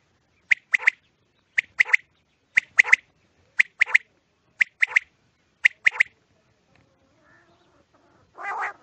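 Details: Quail calling at night, recorded as a sound for quail hunting: sharp three-note phrases repeated roughly once a second, seven phrases in a row, then quiet with a brief harsh nasal note at the end.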